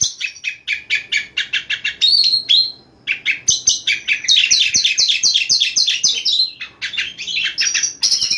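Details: Night singing of an Oriental magpie-robin, used as a lure to spur other birds to sing: fast series of sharp repeated chips, then dense buzzy rattling phrases and a brief whistled slur, energetic and continuous.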